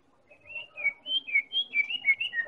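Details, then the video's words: White-rumped shama, Medan type, singing a lure phrase meant to make other birds sing: a quick string of sweet, high whistled notes alternating slightly in pitch, about five per second. "Real Pancingan Murai Batu Medan Super"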